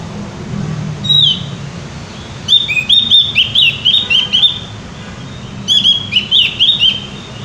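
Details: Javan white-eye singing vigorously and loudly: an opening high chirp, then bursts of rapid, sweet twittering whistles, a brief pause, and another lively burst, with light low-pitched background noise.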